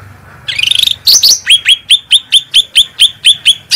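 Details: A cage bird sings strongly, recorded as a master for training other songbirds: a buzzy trill and squealing whistles, then a long steady series of sharp chip notes, each dropping and then rising, about two each second.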